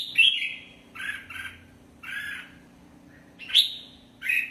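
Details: Red-whiskered bulbul song of clear, warbled, slurred whistles and a few husky double notes, delivered in short bursts roughly every second, with a low background hum.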